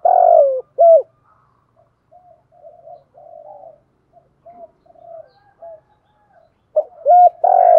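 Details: Decoy spotted dove singing in "giọng thổ" style: opens with a long rolling coo and a hooked note, quiet murmured notes follow, then hooked coos and another long coo at the end.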